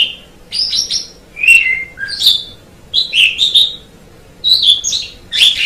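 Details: Tutor recording of Asian pied starling song: short, separate whistled phrases, some falling and some sharply rising, spaced by half-second pauses.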